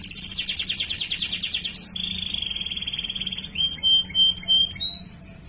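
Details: Waterslager canary delivering a buzzy, layered trill that drops into a long, steady, low rolling note, followed by several short, clear whistled pips.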